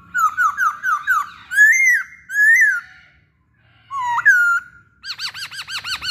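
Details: Song of a masked laughingthrush used to draw other birds into song: a row of quick down-slurred whistles, two arching fluted notes, a rising slur, then a fast series of bright chirps.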